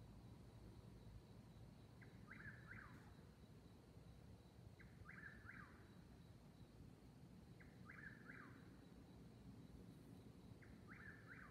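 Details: A nighttime whip-poor-will duel between two eastern whip-poor-wills, 22:42 on 19 May 2021, near Davis Creek Road, Seneca, South Carolina, 69 °F. Short clusters of whistled phrases recur roughly every three seconds, each ending in a downward slur, over a steady low rumble.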